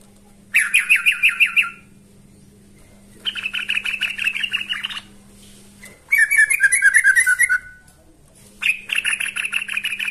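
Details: Yellow-vented bulbul (trucukan) singing actively, calling a rival: bursts of rapid bubbly chattering notes, about one to two seconds each, separated by short pauses, with a faint steady low hum underneath.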